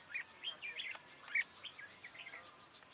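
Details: Red-whiskered bulbul, a wild bird being trapped with a decoy on 1 October 2018: a dense run of quick, liquid warbling notes that rise and fall, with one louder note midway, over soft background noise.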